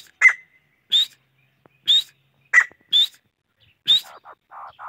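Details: Chachalaca calling with crisp rising whistles and short raspy notes at about one-second intervals, ending in a few softer, lower nasal notes.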